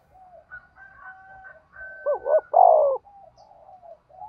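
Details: Trapping decoy spotted dove giving one loud coo of two short rising notes and a long sliding note, amid softer background coos and a thin steady whistle from other birds.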